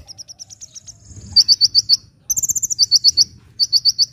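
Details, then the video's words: Sunbird singing energetically, used for luring birds and prompting quiet birds to sing: a fast run of thin high chirps, then sharp, bright, slightly buzzy notes in bursts of four or five, some higher tinkling trills, with faint low background rumble. "SUARA BURUNG KOLIBRI GACOR"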